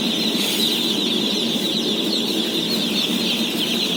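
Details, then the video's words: Day-old chicks at feeding, 17,000 head: a seamless mass of high, piping cheeps, some sliding notes standing out, laid over a constant low-pitched rumble. "BABY CHICKEN SOUNDS"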